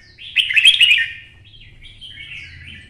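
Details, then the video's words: Twisting-voiced red-whiskered bulbul, caged and provoked to sing for fighting: one loud rich warbled burst with trilled texture, followed by softer trailing whistled notes wavering at high pitch, a faint low hum throughout. "CHÀO MÀO | Giọng xoắn - Kích chim xổ bọng căng lửa hót đấu"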